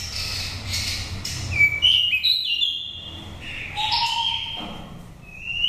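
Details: Wild-voiced oriental magpie-robin from Daklak, nest-raised, five moults, sung to rouse or trap birds: varied chattering and whistled phrases mixing high and lower notes, with a rising whistle at the end.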